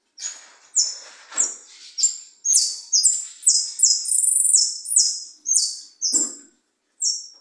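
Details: European goldfinch kept as a tutor for young birds delivers a lively continuous song of high, clear whistled syllables, some stepping upward, with a rattling run in the middle and a brief pause before a final note.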